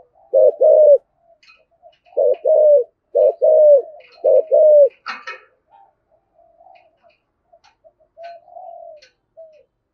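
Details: Spotted dove cooing in the 'Thổ Sấm' style as a lure for wild doves; four bursts of low paired coos in the first five seconds, a brief clatter, then only soft murmuring notes trailing off.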